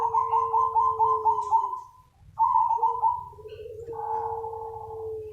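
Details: Zebra dove (perkutut) calling to lure other doves: a rapid stuttering run of soft cooing notes, a short pause, another quick stutter, then long steady level coos over a low hum.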